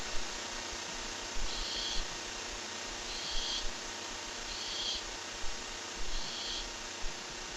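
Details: Barn owl on a live bird camera, around when a rat is brought in: four faint, breathy hissing bursts spaced about every one and a half seconds over steady background hiss.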